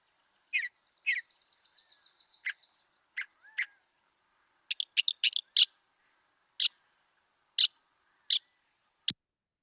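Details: A Northern Mockingbird (Mimus polyglottos) sings in early spring in Kentucky. Varied high phrases include a fast buzzy chatter, then sharp bright notes, each repeated three or more times at an unhurried pace.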